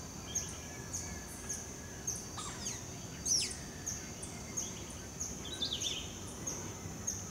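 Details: A blue-gray tanager, recorded on October 30 from the Musa tower in the Amazon, gives thin, high chips about every half second with a few sharper down-slurred notes, over a steady high insect-like hum and low rumble.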